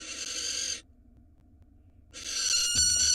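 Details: Female barn owl at a nest box in Israel, filmed by a live nest camera, calling as her mate brings her a rat: two harsh, hissing screeches broken by a pause, the second with a brief click.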